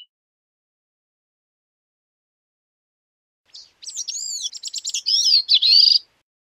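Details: Bicknell's thrush song: after a long silence, one high, thin phrase of about two and a half seconds. Quick chippy notes run into a fluty, wavering, slightly rising ending. The background is otherwise quiet.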